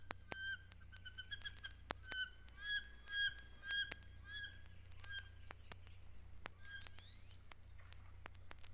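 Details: Wood ducks in a mountain lake sanctuary, normally shy but unafraid here, using nest boxes in the trees: a series of short, harmonic, downslurred squeaky notes, with a few rising slurred squeals near the end over a low steady hum.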